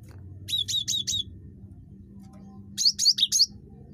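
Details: Cinereous tit (gelatik batu), very chattery, used to entice other birds to call; two short runs of four sharp, high notes, the second run louder and more varied, over low background hum.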